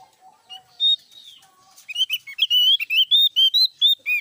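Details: Javan grey-throated white-eye singing loudly, a few soft low notes first, then a rapid run of bright, clear whistled notes with slight upward and downward slurs, about two per second, in a quiet setting.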